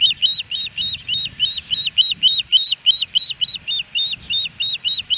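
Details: Ospreys calling at their Hellgate Canyon nest in Missoula, Montana, 13 July 2018, on a three-fish delivery day; rapid series of shrill, slurred whistles, nearly four per second, run on without pause, with soft low background noise.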